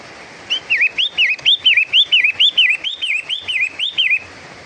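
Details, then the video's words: Long-tailed shrike, locally pentet matahari, giving a rhythmic chain of about eight slurred whistled notes, each curling upward then falling, evenly spaced around two per second, with a quiet background. "bunyi terapi khas Pentet Matahari"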